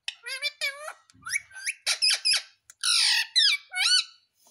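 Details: Talking Indian ringneck parrot kept as a pet runs through a rapid series of whistled, curving notes and squeaks, then a loud harsh squawk and two wavering calls.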